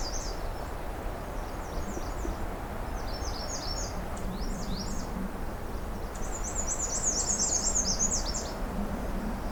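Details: Black-and-white Warbler singing on a June afternoon on a riverside forest trail, high, squeaky two-note phrases repeated in quick series, fuller-toned than usual, nearer American redstart tonality, over a steady low rumble.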